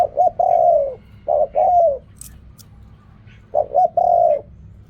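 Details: Spotted dove cooing, 'riak kham, khu kham' style: grace notes leading into long, warm, falling coos, two phrases close together and a third after a brief quiet pause.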